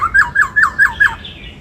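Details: Song fragment from a caged white-cheeked laughingthrush in 'bắt cô trói cột' voice: six rapid, evenly spaced, down-slurred whistled notes over under two seconds, fading into a soft high trill.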